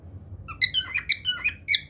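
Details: Cockatiel song, a quick string of squeaky whistled notes jumping between pitches, roughly five or six notes a second, indoors with faint low background hum.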